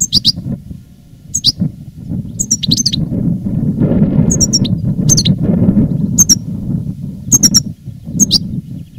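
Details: Veteran European goldfinch in reclamo song, recorded live in 2017, giving short high tinkling notes and paired chirps spaced every second or so, over a steady low rumbling background.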